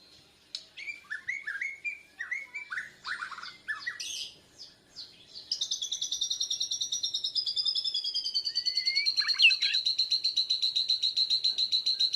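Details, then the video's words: Bornean white-rumped shama learning to sing against a lure recording, breast feathers raised; choppy whistles and chatters, then a long, fast, even high trill pulsing steadily to the end. "Murai Borneo Belajar Gacoorrr, Nyaut pancingan..jousss"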